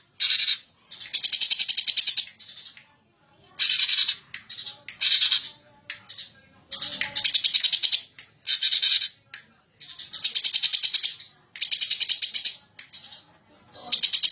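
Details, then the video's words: Greater green leafbird, an agitated champion bird, delivering ngentrok song: around ten harsh, rattling bursts over fourteen seconds, each a rapid chain of stuttered notes broken by brief pauses. "Burung Cucak Ijo Ngamuk Ngentrok Super Gacor Juara"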